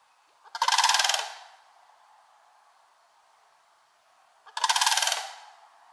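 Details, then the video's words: Sandhill Crane family foraging in Kalamazoo, Michigan, on July 11, 2018, giving two loud, rolling, rattling calls about four seconds apart, with quiet between them. "Sandhill Cranes family foraging and calling"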